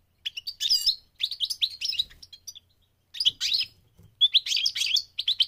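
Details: A migrating goldfinch sings in quick, tinkling, twittering phrases, high and liquid, in three bursts broken by short pauses.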